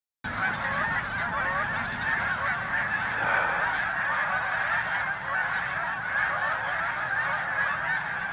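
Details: Flock of snow geese circling over a corn field, repeatedly landing a little farther away after being approached; a dense, continuous chorus of many overlapping nasal honks, steady throughout, with no pauses between calls.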